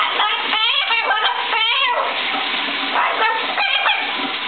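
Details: A young severe macaw talks in short, harsh, speech-like phrases in the shower, two bursts a couple of seconds apart, over the steady hiss of running shower water.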